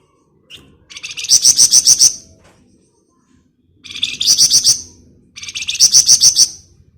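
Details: Scarlet minivet (flamboyan) singing in the rapid 'ngebren' style, used as a lure to prompt other birds. Three bursts of about one second each, made of six or seven fast, high, buzzy pulsed notes with short pauses between bursts.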